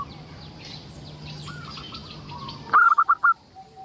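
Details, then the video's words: Local zebra dove song for luring other zebra doves into singing: after a stretch of distant bird chatter and low hum, a single clear phrase of five quick, mellow cooing pulses. "Suara indah perkutut lokal gacor untuk pancingan"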